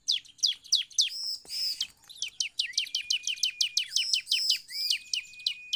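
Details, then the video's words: Bar-winged prinia song played as a lure to set other prinias singing: a fast run of sharp, high chirping notes, several each second, with some notes ending in brief level whistles and a short noisy burst early on. "CIBLEK GACOR"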